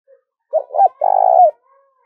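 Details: Caged decoy spotted dove cooing to lure and provoke wild doves: two short rounded notes, then a long, slightly trilled, steady coo that slides down at its end, low and mellow, in a quiet setting.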